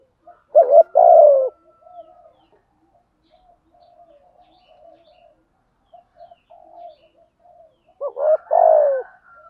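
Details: Spotted dove used as a lure, singing in the Thổ voice; a strong coo phrase opens, followed by several seconds of faint low cooing notes, then another loud falling coo phrase.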